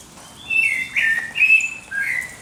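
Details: At dawn, a bird sings four clear whistled notes in quick succession, the later ones dropping lower in pitch, with faint higher chirps behind.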